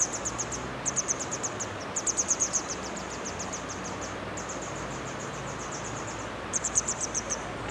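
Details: Grey wagtail at the Hönne river in Menden produces long, rapid runs of high, thin ticking notes forming trill-like series, with a brief pause midway, over a soft low hum.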